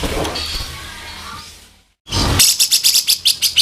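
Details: ["Tutor recording of a grey-cheeked bulbul's harsh 'kasaran' song: noisy background fades to a brief silence, then a fast string of about eight loud, buzzy, rasping notes."]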